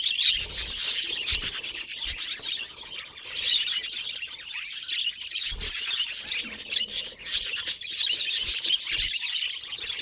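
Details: Pet budgerigar making unusual sounds; long unbroken stream of scratchy chirps, clicks and high warbling, fairly even in loudness, with a few soft low thumps.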